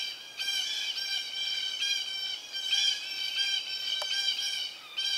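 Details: Red-shouldered Hawk at a nest with young about to fledge, where an adult Southern Red-shouldered Hawk brings food (a snake), giving harsh, nasal, drawn-out screams run together in a near-continuous series with brief breaks about once a second.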